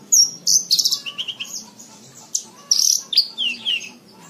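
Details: Horsfield's bush lark (Mirafra javanica) in a long training recording pours out a fast, varied song of high chirps, squeaky notes and brief buzzy trills, several phrases a second with hardly a pause.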